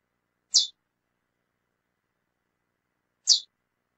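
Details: Calling female lesser seed finch giving two identical sharp, high, clipped chips about three seconds apart, with silence between them.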